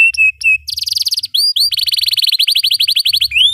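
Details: Long, sustained canary song used as a tutor recording for young birds learning to sing: two steady whistles, then rapid buzzing rolls and swept upward notes, ending in a dense, fast repeated trill with a soft low hum behind.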